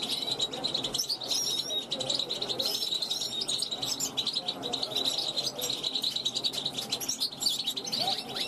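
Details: A 2021 young goldfinch of the large type, practising its song on a balcony to attract wild goldfinches going by; a steady, bright twittering with short buzzy trills, and a faint low hum beneath.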